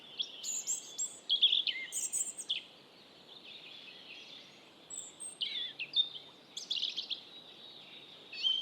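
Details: Robin delivering two bursts of rich, high song, quick chirps, whistles and downslurred notes separated by a pause of about two seconds, over a low steady hiss.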